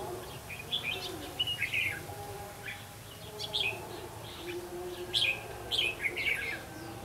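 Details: Caged red-whiskered bulbul decoy at a trapping site, 8 October 2016, singing several quick warbling whistled phrases spaced a second or two apart, with constant low droning background noise.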